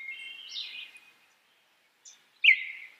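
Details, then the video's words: A Baltimore Oriole gives a short run of clear whistled notes, then a soft chip and one loud, full note that slides downward, over a faint background. "Baltimore Oriole Bird, Som, canto de pássaro"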